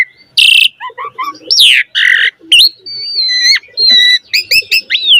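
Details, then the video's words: Black-collared starling in full, rich song, played to stir other starlings to sing: harsh rasping bursts mixed with short chirps, a long level whistle, and upward-flicking notes, with faint low murmurs underneath. "Jalak Suren Gacor Mompa Isian - Pancingan Jalak Suren Agar Burung Jalak Cepat Gacor Isian Mewah"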